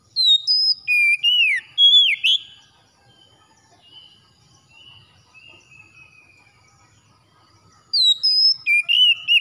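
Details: An oriental magpie-robin sings at morning with bright whistled phrases: quick rising and falling notes repeated in a rush, then a long quiet stretch of faint warbles, before the loud slurred whistles start again.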